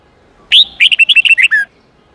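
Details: Song of a red-whiskered bulbul, the 8-9-10 note wild-type phrase used to teach young birds. It opens with a sharp rising whistle, a short pause, then nine fast ringing notes and a final descending slur.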